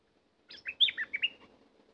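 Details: Energetic song from a caged decoy bulbul: one rich, gurgling phrase of roughly six clear whistled notes rising and falling, over a faint low hum.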